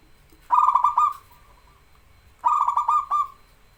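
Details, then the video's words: Local zebra dove, vigorously singing, recorded as a master track to stimulate reluctant birds: two bursts of quick, clipped coos that merge into a rolling trill and trail off, about two seconds apart, in a quiet setting. "BURUNG PERKUTUT LOKAL GACOR SUARA UNTUK MASTERAN DAN PANCINGAN"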